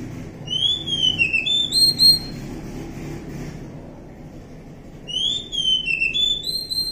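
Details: Oriental magpie-robin in the wild repeating a whistled phrase twice: a downslurred clear note followed by short rising whistles, with steady low background rumble between.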